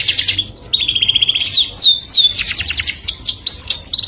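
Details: Canary singing to attract a mate: steady whistled notes, then bright downslurs and fast pulsed trills, with rising loops at the end.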